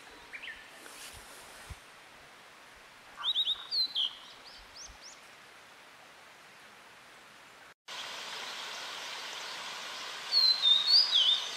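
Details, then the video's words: Tledekan, a birdsong training recording: a short burst of high, thin, rising whistled notes repeated quickly, then after a pause a second similar burst over a steady hiss. "Masteran Burung Tledekan"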